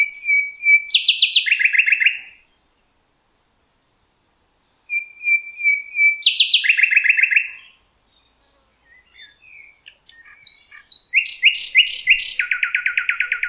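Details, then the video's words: Thrush nightingale singing in the Rawka river valley, Poland: thin piping notes lead into loud rapid rattling chains of clicks, repeated in two bursts a few seconds apart, followed by varied chirps and another fast trill. "Słowik rdzawy"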